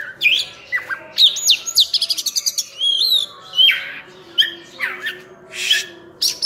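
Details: Oriental magpie-robin (kacer, burung cincim pala) in dense, varied full-filler song. Upswept whistles, a fast stuttering series of short notes, and descending whistled slurs.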